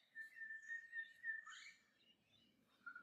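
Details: Lyrebird calling in the morning from deeper in a valley, imitating a dozen or more Australian native birds while rainbow lorikeets feed nearby; a steady whistled note held just over a second, then a brief chirpy burst and a short closing whistle.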